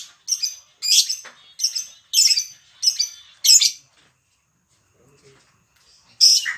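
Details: Lovebird making koek and ngetik sounds, used to prompt other lovebirds to sing: six shrill, scratchy high bursts about every half second, a short pause, then one more burst.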